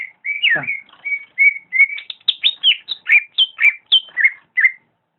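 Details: Greater green leafbird in gacor song, opening with a drawn whistle and a sharp downward-dropping note, then a steady series of short clear whistled notes, many sliding down, roughly four or five per second.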